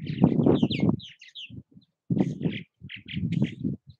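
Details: Purple Martins at their bird houses in Southwest Missouri, giving dense bursts of gurgling, chirping calls in two clusters, mixed with loud low thumping and rumbling noise.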